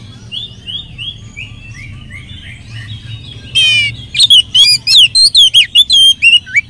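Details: Oriental magpie-robin song used to get other magpie-robins singing. Soft repeated rising whistles open, then a harsh buzzy rattle, then a fast string of loud, clear whistled and slurred notes runs to the end.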